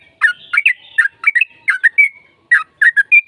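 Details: Trucukan (yellow-vented bulbul) lure song meant to prompt a reply. Lively, bubbly phrases of two or three gurgling, slurred notes with brief gaps, ending on a clear, higher whistled note.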